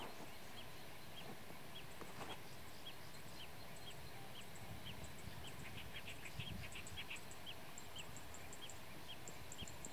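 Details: Blue-tailed bee-eater (kirik kirik laut) calling with brief liquid chirps repeated at irregular intervals, accompanied by faint high ticking notes and a constant low-pitched background rumble.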